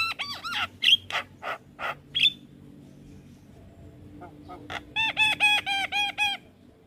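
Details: Javan myna song used to train young mynas: harsh notes and sharp whistles, a quiet gap, then a rapid series of ringing arched notes.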